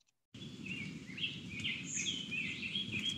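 A Rose-breasted Grosbeak sings a fluid, robin-like warble of sweet rising and falling phrases, richer and more melodic than a robin's, over a steady low rumble.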